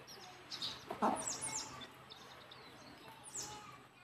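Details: Mother hen leading her chicks back to the nest to roost: a short burst of low clucks near the middle, with thin high chick peeps scattered before and after over a steady low background hum.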